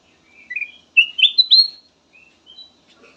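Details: Melodious kutilang emas bulbul song meant as a lure: a run of clear slurred whistles rising in pitch, loudest midway, then a few soft trailing notes.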